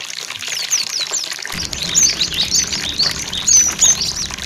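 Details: Cinereous tit song used as a lure to train birds kept in groups to sing, with flowing water: dense, overlapping high chirps and quick thin sweeping whistles, continuous throughout, over a steady rushing water hiss that enters after the first second and a half.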